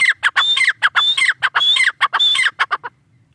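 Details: Partridge (tetar) from Pakistan: rapid, loud repeating phrases of a sustained high whistle dropping into slurred harsh notes, ending abruptly in quiet.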